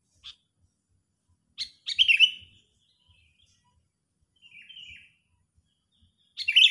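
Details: Agitated sooty-headed bulbul used to lure birds for trapping: an isolated chirp, then a loud bubbling phrase of rich whistles, a quieter trailing note, and another strong burst starting at the end.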